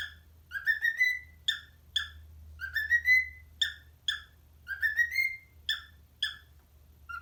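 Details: A pet parrot whistles for parrot friends in an Addams Family remix, alternating crisp short chirps with longer rising whistles in a regular pattern, over a continuous low hum.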